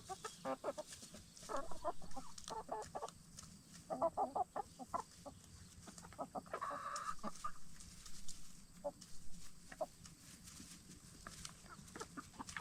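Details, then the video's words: Black Star and Bielefelder hens settling in for the night inside a movable chicken tractor after free-ranging during the day; steady soft clucks in short bursts, several overlapping, with pecking and scratching clicks and a low background rumble. "Relaxing Hen Sounds - Chickens In Chicken Tractor"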